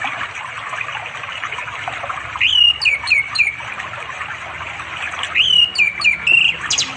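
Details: Afternoon song of an orange-headed thrush calling for a female to mate, by a river in remote East Java forest; two separate whistled phrases about three seconds apart, each a rising note then descending slurs, over a steady insect hiss.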